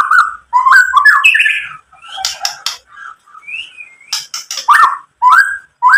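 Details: White-rumped shama song meant to provoke other shamas: rich, lower-pitched warbled phrases broken by harsh scratchy bursts and short gaps, with varied whistled notes.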